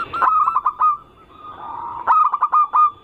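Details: Short zebra dove cooing phrases for luring other doves: two bursts of rapid stuttered coos separated by a softer humming tone.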